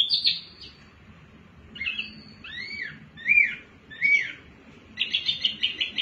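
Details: Softer mini wambi singing, used to coax other birds to sing, with a chirp burst, several clear whistled upslurs and downslurs, then a rapid run of short repeated notes.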